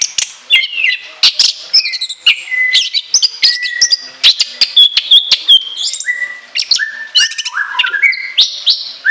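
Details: Long, rich burst of orange-headed thrush song: shrill high whistles, quick falling slurs and clear steady notes at several pitches, strung densely together with sharp chips throughout.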